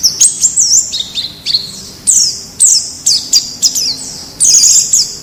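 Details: White-eye from the wild, recorded as a tutor for caged birds: high, thin, warbled phrases in short bursts, some sliding downward, with brief pauses between them.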